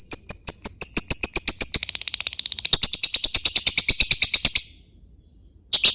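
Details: Lovebird "typing" chatter used to lure other birds: a fast, even run of dry clicking ticks, like keystrokes, with a thin high whistled tone running through, ending in a pause and a harsh squawk.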